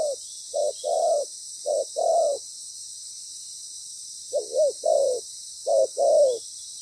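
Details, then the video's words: Decoy spotted dove calling during ground trapping, its voice loud and its song well-patterned. Three pairs of low coos are followed by a two-second silence, then three more pairs with slurred endings. Steady hiss runs behind. "Bổi lớn tiếng,chim bài bản"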